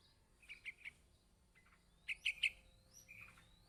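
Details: Yellow-vented bulbul chick calling its parent: two short bursts of three sharp, high chipping notes each, separated by a pause, with faint thin whistles between them.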